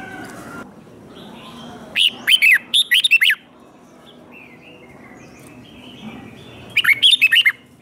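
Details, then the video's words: Red-whiskered bulbul held captive, singing a fighting song used to train birds: a rapid phrase of slurred whistles in two parts, a quiet gap with faint hum, then another similar burst of bouncy whistled notes. "Kích Chào Mào Hót Ché |Kích chào mào hót đấu"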